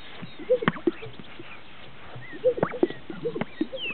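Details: Greater sage-grouse on a lek in northern Utah in display: two sequences of swish then twin hollow pops about two seconds apart, with scattered rustling between.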